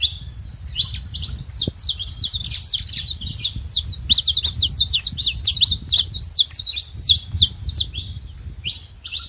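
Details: Saffron finches making a lot of noise at a feeder: a dense, continuous stream of high, sharp chirps and twittering notes overlapping throughout, with soft low rumbling beneath.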